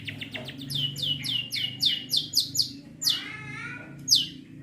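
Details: Long-tailed shrike singing mimicked material such as fighting sparrows and tengkek buto: a run of sharp, high, down-slurred chirps, then harsher buzzy notes and a final bright chirp over a steady low hum.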